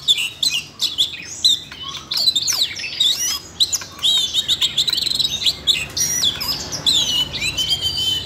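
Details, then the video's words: Siberian rubythroat bursting into song in response to voice-training playback for a young bird, giving a dense, continuous high-pitched warble of twisting whistles, sharp chips and trills with barely a pause. "Luyện giọng cho chú than con ko ngờ làm chú oanh cổ đỏ nổi hứng hót chuyện"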